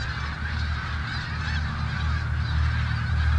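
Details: A big flock of snow geese on the Richelieu River calls together, their honks merging into a continuous babbling din that swells slightly toward the end, over a strong low-pitched rumble.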